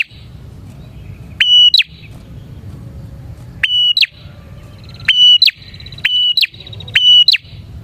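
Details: Bar-winged prinia song used as a lure to attract prinias: loud short phrases of a flat whistled note ending in an upward flick, repeated every one to two seconds over a low background rumble.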